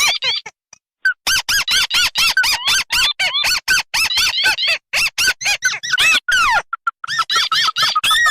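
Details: [['Red and white crake calls combined as a bird lure: dense, loud, squeaky arched notes in rapid overlapping series, with brief gaps and a few lower, nasal single notes.']]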